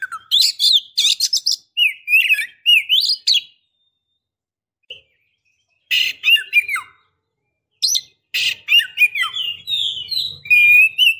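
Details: Female Oriental magpie-robin calling the male. Rapid bursts of buzzy and whistled notes with sliding tones, a pause of several seconds, then more mixed chattering and whistles.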